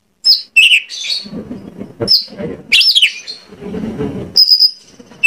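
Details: Oriental magpie-robin singing as a lure meant to prompt other magpie-robins to sing and answer: high clear whistles and buzzy rising notes, some held steadily, broken by short pauses, with a low murmur of background noise.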